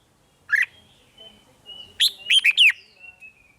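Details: Red-whiskered bulbul 'rik' singing, played to excite caged birds. A single sharp chirp is followed a second later by a fast, bubbly three-note phrase, with a thin steady whistle-like tone underneath.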